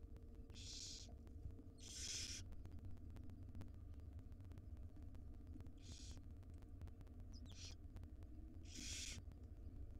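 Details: Wild barn owlets, five in a nest box, being fed breakfast by their mother; harsh hissing screeches come in separate bursts of about half a second, four of them, over a steady low hum.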